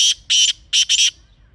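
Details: Wild black francolin (kala teetar) from Pakistan, recorded in natural surroundings: four loud, harsh, grating notes in quick succession, the last two nearly joined, over a quiet background.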